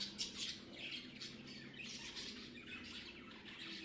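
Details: Parrots give a run of rasping squawks and high chirps that overlap into a steady, busy chatter lasting the whole few seconds.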